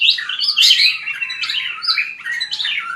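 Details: Fast fighting song of a white-rumped shama for voice training, crowded sweeping whistles and chirps tumbling up and down without pause.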